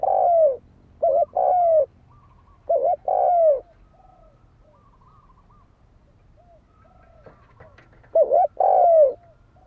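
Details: Spotted dove fighting coo, used as a lure to stir up other birds: loud, hollow two-part phrases, a quick stutter of short notes then a drawn-out falling coo, repeated three times with a quiet gap before the last.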